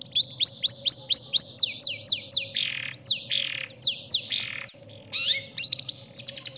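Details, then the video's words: Long-tailed shrike song used as a tutor recording for contest birds, favoured by judges: fast runs of downslurred whistles and buzzy sweeps, packed tightly with brief gaps, over a steady low electrical hum. "MASTERAN CENDET | suara burung cendet paling di cari juri"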